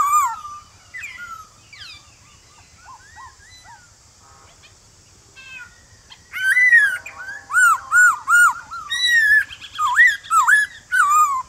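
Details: Wild-voice song of a male White-cheeked Laughingthrush calling to wild-caught birds at morning. Soft, scattered whistles open the passage, then a loud, dense sequence of quick, rising and falling whistled notes follows, roughly once per second.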